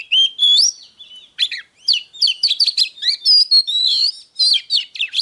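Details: Singing Oriental magpie-robin in 'déo' style, played to agitate wild-caught birds into fighting: a drawn-out rising whistle opens, followed after a pause by rapid clusters of warbled, slurred notes and long pure tones.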